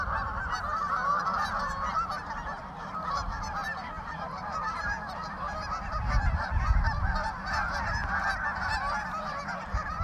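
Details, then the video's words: Thousands of geese gathered on a pond, a dense, continuous chorus of overlapping nasal honks with no pause, rising and falling in loudness, and a low rumble beneath. "Thousands of geese in a pond"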